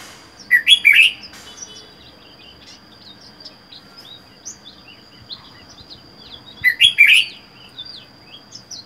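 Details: Caged red-whiskered bulbul, wild-caught and living alone for four months; two loud warbled phrases about six seconds apart, separated by soft scattered high chirps over a faint steady background tone.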